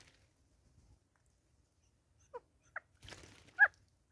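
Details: Grey go-away-birds bonding in South Africa in 2024: a few short, separate nasal notes spaced through near-silence, with a brief rustling noise in the middle.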